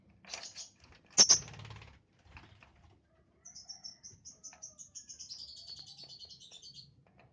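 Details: Young lovebird chirping: a few scattered squeaky notes, then a long run of rapid, high, thin twittering notes repeated steadily for several seconds.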